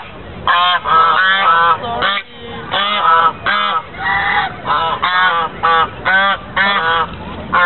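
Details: White geese recorded 24 November 2013 at Lake Elizabeth, Fremont, California: a steady series of loud, nasal honks, one burst roughly every half second, from several birds calling in turn.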